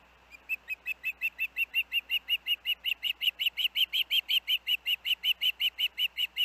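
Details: Osprey siblings hanging out at the Hellgate nest, 23 August 2024: a long, insistent run of about thirty-five sharp whistled chirps, growing louder, repeated roughly five times a second.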